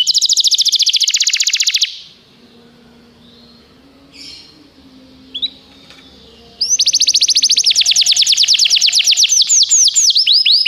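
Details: Canary song meant for training canaries: a dense high trill that stops abruptly, a quiet stretch with low background hum and a faint chirp, then a fast bright trill of repeated sweeping notes resumes.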